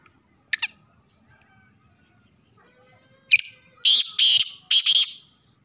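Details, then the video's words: Black francolin (kala teetar) giving a loud, harsh, grating call of four rasping broadband bursts in about two seconds, preceded by a single sharp click and near silence. "Kala teetar ki awaz"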